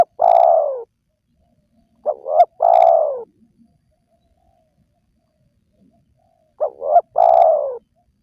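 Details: Wild-dove lure of spotted dove calls: a long falling coo, then two full phrases of a quick double coo plus a sustained, downward-trailing coo, separated by about four seconds of silence.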